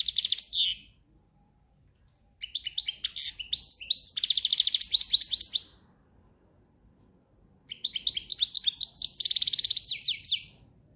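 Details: Singing European goldfinch in breeding season, campero-style song: three bursts of fast liquid twitters and buzzy trills separated by pauses of about two seconds, high-pitched and tinkling.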